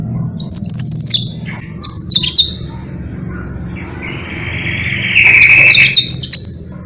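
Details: Lively Yellow-fronted canary, its long song meant as a model for training other birds, gives high rapid wavering trills in three bursts, the last over a steadier lower buzzy note, with a soft hum in the background.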